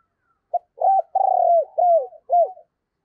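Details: Decoy spotted dove giving its urging coo during Tet to lure wild birds: a clean phrase of five coos, a short opening note, a long vibrating coo, and arched, falling notes.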